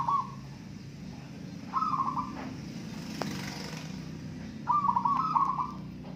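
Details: Local zebra doves at a singing contest: soft trilled cooing phrases, each about half a second long, sound three times with pauses in between over a faint low hum.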